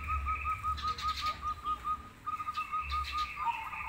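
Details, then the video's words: Zebra dove, crossbred versus local birds, singing gacor: an even chain of soft, bubbling coo notes at steady pitch, briefly pausing, then resuming, with a faint higher trill and low thumps behind. "Perkutut gacor Krosing Vs lokal"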